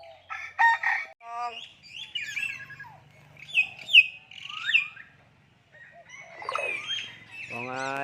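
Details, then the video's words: Common hill myna speaking human language: a string of varied whistles, sharp chirps and harmonic, voice-like squawks in uneven bursts, ending with a rising nasal phrase. "common hill myna speaking human language"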